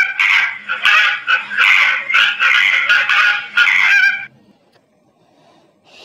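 Flamingos give a rapid, overlapping run of loud, nasal, goose-like honks for about four seconds, then fall quiet.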